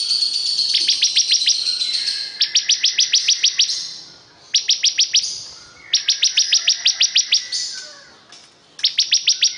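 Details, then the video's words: Bar-winged prinia in full, lively song, with short bursts of rapid, high-pitched staccato notes repeated several times, each burst broken off by a quick gap. "Ini Dia Suara Burung Ciblek Kristal super gacor"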